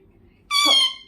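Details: Parrot giving a single harsh, strongly harmonic squawk lasting about half a second, with near silence before it.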